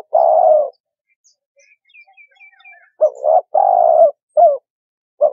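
Spotted dove giving soft, low, hollow coos: one long note, then a broken run of short and drawn-out coos. Faint high chirps from another bird come between them.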